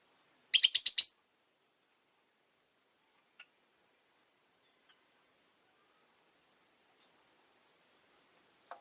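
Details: Caged rosy-faced lovebirds, five kept in a cage by a window on a winter day, give one quick burst of about six sharp, high chirps in half a second, then near silence with faint ticks.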